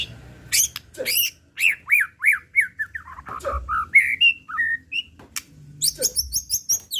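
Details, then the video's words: White-rumped shama, a lure recording meant to excite another shama and draw out its repertoire. Its rich, varied song runs as rapid whistled phrases: sharp rising and falling notes and buzzy high trills, with brief low thumps. "Pancingan Murai Pastol Emosi & Bongkar Isian"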